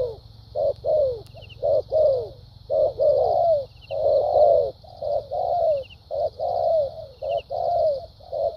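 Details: Cooing caged decoy spotted dove in patterned thúc gù and lèo dặm style: quick coo pairs, then longer, fuller sustained coos that sag in pitch, repeated without pause, with a thin high insect hum behind.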